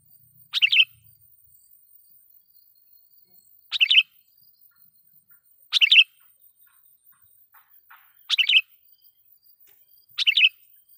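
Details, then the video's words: Sooty-headed bulbul calling as a lure to provoke wild bulbuls, giving five short bubbly bursts spaced about two to three seconds apart over a quiet background. "suara pikat KUTILANG GACOR /kutilang suara keras,membuat kutilang liar EMOSI"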